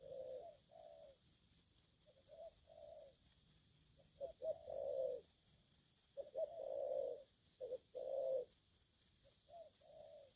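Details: An aggressive spotted dove repeats its phrase of quick short coos followed by a swelling, drawn-out throaty coo, several rounds over ten seconds. Constant fast high ticking sounds in the background.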